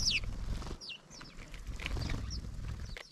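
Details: House sparrows, many arriving together in a noisy flock at a feeder they have just discovered; short sharp chirps, one loud at the start, then scattered fainter chirps, over low rumbling background noise.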